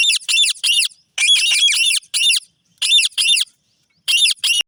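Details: Indian ringneck parrot, a green parrot: harsh, piercing, high squawks in short bursts, some single and some run together into longer screeches, broken by brief silences.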